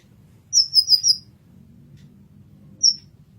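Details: Kolibri ninja, or olive-backed sunbird, in a masteran recording: a rapid burst of three or four thin, piercing, high chirps run together, then a lone sharp chirp after a short pause.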